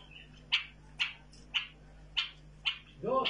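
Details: Hand-tamed bulbul repeating single, bright, abrupt chirps about every half second. A human voice cuts in at the very end.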